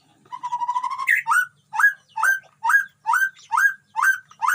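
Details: White-rumped shama kept in a colony cage at a breeding site, among wild animals: a short steady whistle, then a regular series of upslurred, ringing notes, about two per second.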